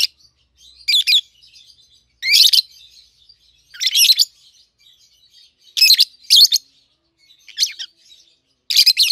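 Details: Peach-faced lovebirds, a captive-bred pair in red-headed green opaline and red-faced dark green colours, 7-8 months old. Loud harsh chirps arrive roughly every one to two seconds over soft continuous twittering.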